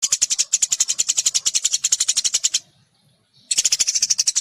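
Munias give fast, high, dry chipping notes, about eight a second, in a steady run. The chatter breaks off for a second, then starts again.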